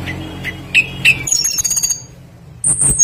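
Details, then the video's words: Tledekan flycatcher singing prolifically as a lure to prompt other birds to sing, a full song with varied phrases: clear whistled notes repeated about every half second, then rapid high chatters and thin shrill whistles over a steady low hum. "PANCINGAN BURUNG TLEDEKAN PASTOL GACOR FULL ISIAN LANGSUNG IKUT BUNYI"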